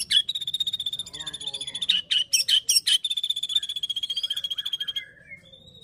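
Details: White-rumped shama song of the fighter type, aimed at rousing other shamas: a fast trill of even, high repeated notes, broken by a few louder sharp calls, then dying into soft whistles.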